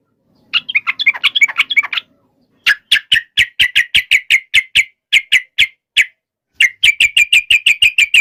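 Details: Yellow-vented bulbul giving a fighting song to provoke other birds into answering: a brief jumbled chatter, then long series of sharp clicking chips repeated about three per second, broken by short pauses.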